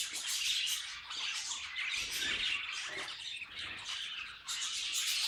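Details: Budgerigars in chorus produce a steady, scratchy chatter of high twittering and squawky notes, dipping briefly before rising again toward the end.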